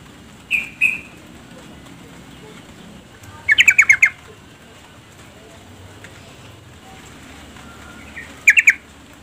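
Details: Female yellow-vented bulbul calling the male to sing; a short double chirp, then two bursts of rapid harsh chattering notes several seconds apart against a faint background hum.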